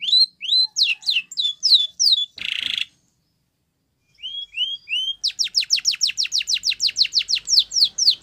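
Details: Spanish Timbrado canary singing a training song: rising whistled notes, a short harsh buzzy burst, a pause, then rapid repeated descending sweeps about four per second.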